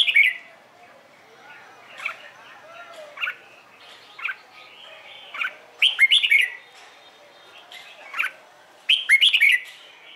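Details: Red-whiskered bulbul singing its morning contest song to encourage newly caught birds to sing: repeated short whistled notes build into two loud, bubbling, slurred phrases near the middle and end, with light chatter between.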